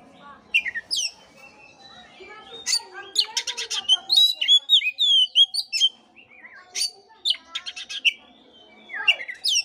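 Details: Oriental magpie-robin song used as a lure to spur a listless bird into singing: varied high whistled phrases, sharp rising and falling notes and rapid rattling trills in bursts, with short pauses between phrases.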